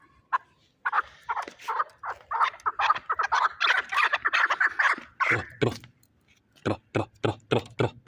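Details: Dense chattering chuk series from a Shahritus fighting chukar partridge in Tajikistan, followed by several loud, sharp, evenly spaced knocks or notes near the end.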